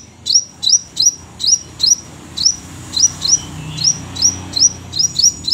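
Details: Crimson sunbird giving spaced, thin upslurred high notes, each a sharp chip rising into a brief whistle, repeated roughly twice a second, with a soft hum beneath.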